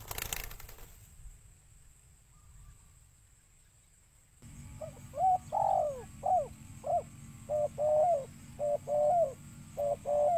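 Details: Spotted dove cooing, a recording meant to call in birds: after four quiet seconds, a series of short, mellow, hooting coo notes, some arching up and down, repeated about once a second over a steady low hum.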